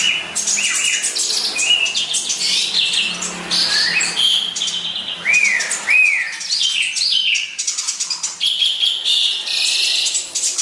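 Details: House sparrow in lively song: dense high chirps and twittering with several rising-and-falling whistled notes, loud and continuous throughout.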